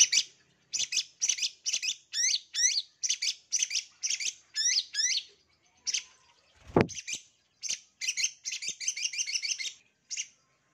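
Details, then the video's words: Long-tailed shrike master song to make idle shrikes answer: a long chattering stream of rapid repeated phrases with hooked, downslurred notes, broken once by a sharp click, then resuming faster. "CENDET MALAS PUN AKAN NYAUT APALAGI MASTERAN CENDET PASTI BAKAL NARUNG DIJAMIN"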